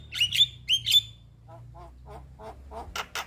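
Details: Young Javan myna in song, two pairs of loud, harsh, squeaky whistled notes followed by softer croaking clicks and a closing pair of dry rasps.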